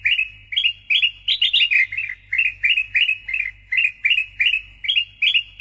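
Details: Loud, frequently singing Sooty-headed bulbul (kutilang emas), recorded as master and lure audio for songbird hobbyists: liquid, chortling phrases of clustered notes, each group dropping in pitch, delivered in rapid succession over a faint low hum.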